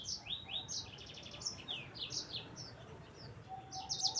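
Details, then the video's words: Yellow-fronted canary (sanger) song used as a tutor and lure for other birds, heard at a distance: quick high whistled slurs and short buzzy bursts over a steady low background hum. "Kicauan Sanger Gacor Roll Juara"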